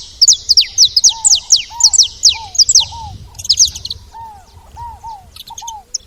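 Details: Saffron finch calling at a feeding spot: quick series of high slurred chirps in the first three seconds, then soft, lower arched whistles repeated about every half second, with sparse chips.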